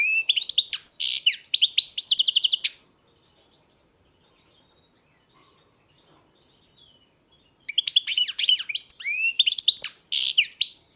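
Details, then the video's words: Goldfinch singing two long bouts of rapid twittering and buzzy trilled notes, each about three seconds, separated by roughly five seconds of near silence with faint soft notes. "Pesma štiglića, češljugara"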